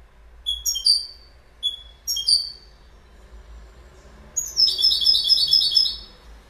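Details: Goldfinch: a few short, clear whistled notes with pauses, then a burst of fast, jangling, high-pitched twittering for about two seconds.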